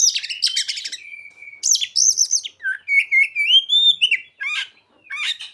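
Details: Oriental magpie-robin (kacer) song stuffed with ciblek and sogon mimicry: dense high chattering trills, a long level whistle, then rising slurred whistles and buzzy bursts.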